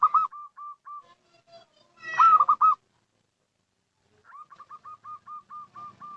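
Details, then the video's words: Zebra dove of a local strain giving its lure call: a few evenly spaced short coos, a loud three-note stuttered phrase, silence, then a rapid run of clipped repeated notes. "Suara Panggilan PERKUTUT LOKAL , Paling Cocok Untuk Pancingan"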